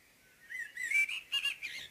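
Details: Brief common blackbird phrase at dawn: a few smooth, liquid whistles gliding upward and down, closing with a couple of higher, tighter notes.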